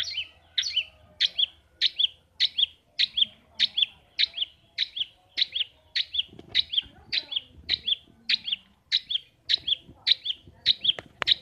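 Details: Long-tailed shrike kept in a cage at home, enjoyed after work in the rice fields, repeating one sharp, high, downslurred chirp roughly twice a second for over ten seconds, with faint rustling behind.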